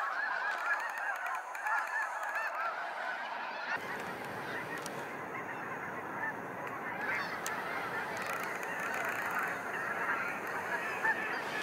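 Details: Snow geese pouring out at sunset from Sacramento National Wildlife Refuge, a continuous crowd of overlapping honks joined partway through by a low rushing rumble, perhaps wind, beneath the calls.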